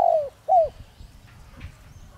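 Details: Spotted dove decoy bird of the 'Đồng Rặc' voice style, kept to provoke wild doves to call: two soft, falling hooted coo notes close together, then quiet with faint low rumble.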